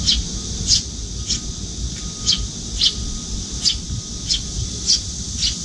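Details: A nearly grown young Eurasian tree sparrow at a window feeding spot follows its parent, fluttering its wings and giving harsh, high begging chirps about twice a second to be fed, over a low background rumble.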